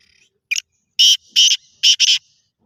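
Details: Black francolin calling: a brief buzzy note, then four loud, harsh, grating bursts in quick, uneven succession. Faint high whistled tones run between them over a quiet background.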